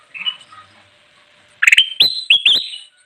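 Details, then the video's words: Kutilang emas bulbul in full song, used for luring wild birds: a faint note at first, then a rapid run of bright, clipped whistles, each rising sharply then holding steady. "suara burung kutilang emas gacor cocok banget buat pikat"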